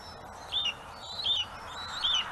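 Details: Bald eagles at a webcam-watched nest on Gabriola Island, one adult mantling and keeping prey while a juvenile waits to steal it; three thin, high, arched chirps, each briefly rising then falling, spaced about three-quarters of a second apart, over faint background hiss.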